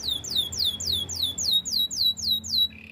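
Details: Canary song for training: a fast trill of about ten bright, downward-sweeping whistled notes, evenly spaced, ending in a short, steady, high tone. There is a faint low hum underneath.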